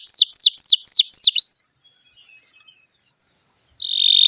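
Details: Pet canary delivering a brief burst of six descending whistled sweeps in quick regular succession, followed by near silence and a steady high tone starting at the end; kept to lure other canaries to sing.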